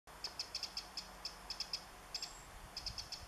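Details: Eurasian wren on 27 July 2014, calling while carrying food for its young, gives a run of sharp, high, dry ticks in short uneven bursts, about five per second, over soft hiss; a grasshopper is also present.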